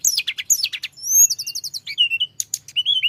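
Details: Flowerpecker, a mountain form, singing a lively rolling song meant to provoke rival birds: rapid high thin chirps and sharp descending notes, a buzzy trill of repeated notes, then short whistled slurs, all very high-pitched with a quiet low hum beneath.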